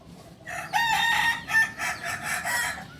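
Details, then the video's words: Kokok Balenggek, a nearly extinct singing village chicken of Solok, West Sumatra, whose crow rises through tiers up to 19; a rooster gives a broken, stepped crow of several pulsing segments over about two and a half seconds. "Ayam kukuak balenggek ayam asli solok sumbar"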